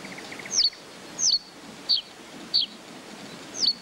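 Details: Common reed bunting singing in the open: thin, high, sharply down-slurred notes given singly about every two-thirds of a second over a steady background hiss.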